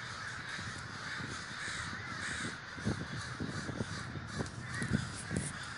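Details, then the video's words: Many crows massed in a big communal gathering at Davis, California, cawing together in a thick continuous din, with a few louder nearby caws near the end over a low background rumble. "The Great Gathering of Crows"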